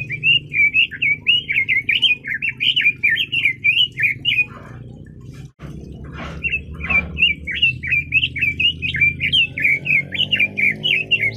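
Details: Red-billed leiothrix (Leiothrix lutea) singing: fast, run-together warbled phrases of short powerful notes, several per second, in two long bursts separated by a brief pause with a few rough chattering notes and a low background hum.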